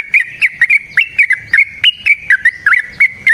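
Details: Yellow-vented bulbul in aggressive, energetic song meant to spur other birds to sing: a fast run of clipped, slurred whistles, some rising and some falling, about three to four per second.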